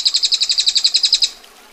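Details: Short burst of about sixteen crisp, harsh ticks from a female bar-winged prinia, delivered evenly in just over one second before cutting off into quiet.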